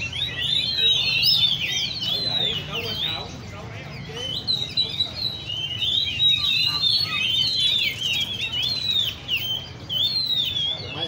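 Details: Caged Oriental magpie-robins at a bird cafe in Le Thi Riêng park, where keepers of the species gather: overlapping whistled phrases, sweeping up and down, pour out almost nonstop from several birds at once.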